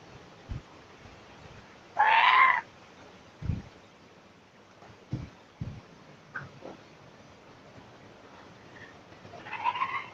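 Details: Laughing kookaburra being hand-fed by people at Nambucca Heads, NSW, Australia. It gives one harsh, rasping squawk of about half a second, then a fainter one near the end, between dull knocks and handling thumps.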